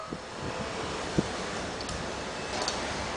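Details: Rushing wind noise on the microphone with one dull thump and no animal sounds.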